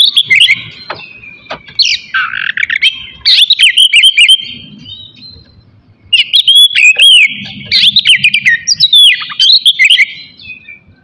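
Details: Morning song of an Oriental magpie-robin meant to stir rivals' aggression and breeding urge: loud, rich whistles, slurred up-and-down notes and quick chattering trills in long runs, with a short pause midway.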